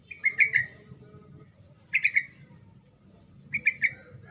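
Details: Yellow-vented bulbul singing to coax silent birds into answering. Three short phrases of two or three clear, whistled notes spaced about 1.5 seconds apart, with a soft low rumble behind.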